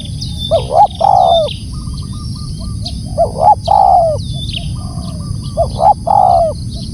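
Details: Spotted dove calling loudly, repeating its three-part coo three times about every two and a half seconds: two quick low hoots followed by a longer, smoothly descending croon. Small birds chirp high and rapidly in the background.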